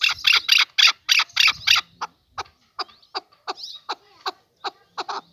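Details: Male chukar partridge: a rapid burst of harsh chucking notes, then slower, thinner single clucks spaced out, with a faint low hum underneath.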